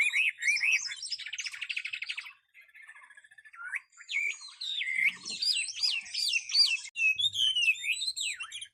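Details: Tame caged hwamei from a singing contest opens with looping whistles, shifts into a fast buzzy rattle, pauses briefly, then returns to loud, bouncing whistled phrases repeated in quick succession.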